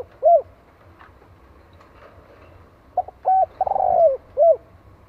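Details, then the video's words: Vietnamese spotted dove calling, used as a lure for wild doves: soft separate coos, a brief cluster of clipped notes, then a longer wavering coo and a final rounded coo over a faint low background hum. "Tiếng Chim Cu Gáy Gọi Kích Bổi Chuẩn Mới Nhất - 100% Nghe Là Gáy."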